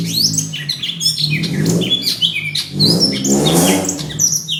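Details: Fighting greater green leafbird, May 2016, sound meant to draw other birds into song: loud, dense run of whistles, buzzy notes and harsh bursts, with a low mechanical hum beneath.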